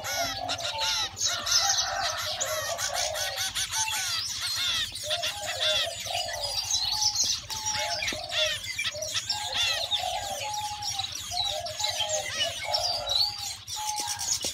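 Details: Zebra finch babies, hungry, keep up a rough, continuous begging chorus of scratchy rapid notes with short whistled tones beneath, and a faint low hum in the background.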